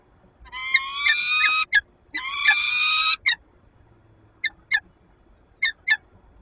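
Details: In a Lublin nest box on 15 February 2022, a peregrine falcon calls while interacting with its mate, recorded from a nest camera. Two long, strained wails with rich overtones are followed by short, sharp chipping notes, often in pairs.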